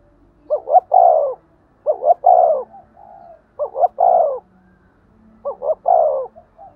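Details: 'Thúc gù' urging coo of a spotted dove, a style meant to stir decoy birds to call all day. Four deep cooing phrases: paired short notes swelling into a long falling coo, with faint soft murmurs between phrases.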